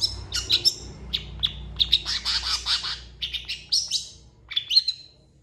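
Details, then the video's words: A long-tailed shrike in energetic song, valued as a training recording and described as imitating cats and chickens. Thin high whistles and clipped chirps mix with buzzy chattered phrases in an irregular, varied stream, over a steady low background rumble. "MASTERAN CENDET GACOR"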